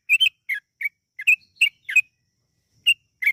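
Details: Yellow-vented bulbul singing as a lure to prompt song: a quick burst of bright bubbly notes, then a longer pause before two more isolated chirps.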